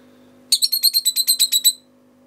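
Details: Lovebird indoors giving a quick series of about ten sharp, high chirps over roughly 1.2 seconds, evenly spaced and slightly rising in loudness, with a steady low electrical hum in the background.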